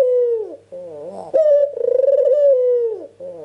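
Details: Ringneck dove calling vigorously as a lure to prompt other birds to answer: long steady tonal coos that droop at the end, split by lower wavering rolls, with a faint constant hum behind.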